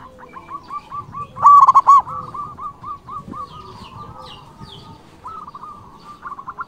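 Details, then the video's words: Local zebra dove in full song, used to call rivals: one loud burst of rapid pulsed coos near the middle, surrounded by long runs of softer, quick stuttering notes and faint chirps from other birds. "Perkutut lokal gacor Suara BESAR ampuh memanggil lawan BUNYI EMOSI manggung"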